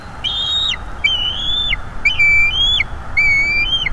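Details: Bald eagle chick at a North East Florida nest, talking a lot as its mother feeds it in the evening: four high, drawn-out whistled cries, flat then curling downward, spaced about one second apart.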